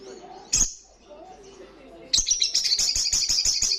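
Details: A sharp high note, then a pause and a rapid, loud, buzzy trill of quickly repeated notes from an olive-backed sunbird in full song.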